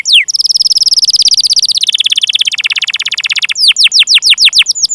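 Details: Canary song for training and luring young or non-singing canaries: a fast trill that steps down in pitch over three seconds, followed by a series of quick falling whistled notes.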